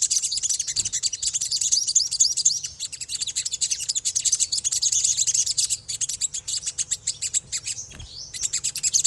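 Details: Ngriwik twittering of an olive-backed sunbird: an almost unbroken stream of fast, very high, scratchy chirps about four per second, mixed with short rising whistles, over a faint steady low hum.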